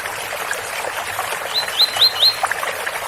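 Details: Tui-tui song of a double-collared seedeater, special Ouro Fino style, beside a water spout: four bright upslurred whistles in a quick row amid constant running-water hiss.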